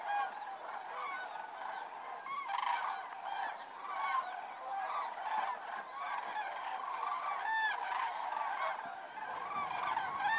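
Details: Common cranes arriving at their evening roost in Federow, Germany, in early October, unusually close because drought lowered the water; rich, rolling trumpet calls from many birds overlap continuously, with clear harmonic notes repeated throughout.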